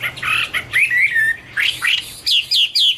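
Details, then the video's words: Rich, fluty song of a Chinese hwamei. Full, slurred warbles and rising swoops are followed by three sharp, high, downward-sliding whistles in quick succession. "Birds Garrulax canorus: Singer yellow mouth - wonderful birdsong"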